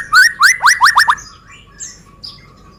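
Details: White-rumped shama of the Medan type, used as a singing lure for other birds. Six quick, ringing downslurred whistles fall evenly in about a second, followed by a few faint thin notes.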